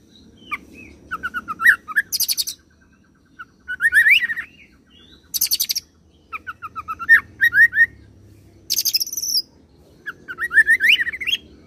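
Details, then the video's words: Oriental magpie-robin in a long rolled song imitating cililin and serindit, alternating looping whistled chirp runs with brief very high rattling bursts, phrases separated by short pauses. "KACER ROLL CILILIN SAMBUNG SERINDIT"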